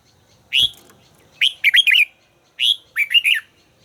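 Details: Red-whiskered bulbul kept for voice training sings bright, rolling warbled phrases in two bursts, each opening with a single slurred note followed by several quick liquid notes, over a quiet background.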